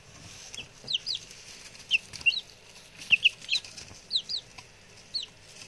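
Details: Newly arrived male chicks, six of them, calling: scattered high falling cheeps in short pairs and triplets, with occasional rustling and knocking sounds between.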